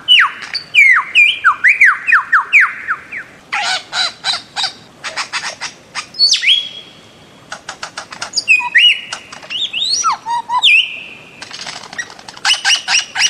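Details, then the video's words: A bird-of-paradise calls in varied bursts: falling whistled notes in quick series, dry rattling clusters, long high level whistles and sharp upsweeps, with short silences between phrases. "Bird of Paradise Calling Sound"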